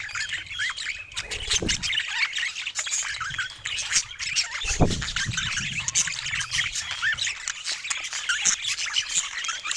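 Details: Pet budgies chatter steadily, a thick mix of chirps, squeaks and warbled notes, broken twice by dull low knocks.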